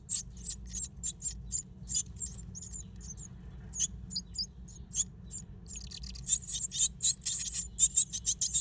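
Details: Great tit nesting in an old stove: irregular high, squeaky chirps, sparser in the middle and building to a faster, louder run of thin calls at the end, with a faint low hum beneath.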